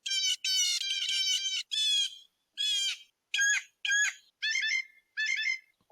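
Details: Blue Jay, a mimic species, gives a string of about eight of its common calls from one bird: harsh, nasal and ringing, some drawn out and some clipped short, varying in tone from one to the next.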